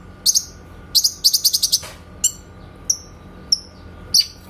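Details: Grey-cheeked bulbul 'tembakan' master song for songbird training: short bursts of shrill high notes, a quick trill of five or six, then spaced single downslurred whistles.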